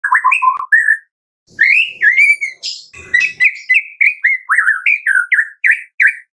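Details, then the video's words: White-rumped shama of the Medan type, singing energetically in a morning lure recording meant to prompt captive shamas to sing: clear whistled notes and slurred upward phrases, a brief pause, then rapid rising and falling whistles repeated about twice a second. "Pancingan pagi hari MURAI BATU MEDAN GACOR FULL ISIAN"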